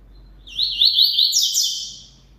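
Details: Double-collared seedeater song, a single rich phrase of rapid warbled and trilled notes with quick up-and-down sweeps, rising to a brighter burst before trailing off, lasting about one and a half seconds over near silence.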